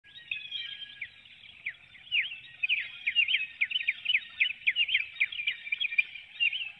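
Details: Female bald eagle calling as she leaves the nest and flies out through a woodlot before dawn, caught by a nest webcam in Hanover, Pennsylvania, on 12 April 2019: a continuous high chittering of quick sharp notes, nearly two per second.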